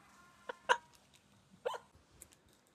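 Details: A pet African grey parrot gives a few short, clipped voiced syllables in quick bursts with pauses between, amid a colour-naming session, over a quiet room background.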